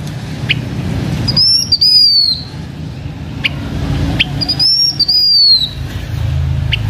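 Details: Decoy blue-winged minla song: two high, clear whistled phrases, each gliding down at its end and spaced a few seconds apart, with occasional sharp ticks and a low background hum.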